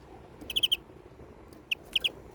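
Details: Greenfinch giving a quick run of four chirps, a pause, then a single note followed by two more, all crisp and high over faint background noise.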